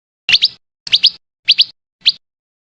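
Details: Female scarlet minivet uttering four spaced bursts of paired, rising whistled notes, the last a single note, each roughly half a second apart, over a faint low hum.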